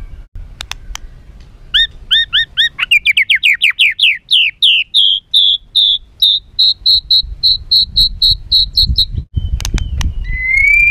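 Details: White-rumped shama in agitated song used to provoke other birds: paired whistled notes that quicken into a long accelerating series of rising whistles, about twenty in a row, closing with sharp clicks and a rising whistle.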